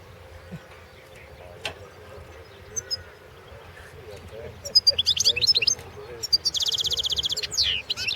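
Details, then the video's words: European goldfinch in a song contest, starting quietly with odd chirps, then bursts of high twitters and a long, fast rattling trill near the end. "World championship in Goldfinch Song 2016"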